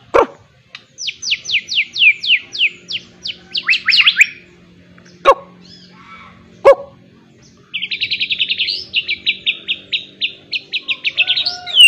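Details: Murai batu, the white-rumped shama, in training with miwah-style fill: long runs of fast descending chips, then a repeated buzzy trill at even pace, punctuated by brief sharp bark-like notes and quiet gaps.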